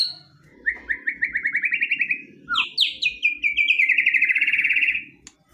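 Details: Provocative, aggressive song of a white-rumped shama: a rapid rising series of clipped whistled notes, then a sharp high note and a long fast trill sliding slightly downward, ending abruptly.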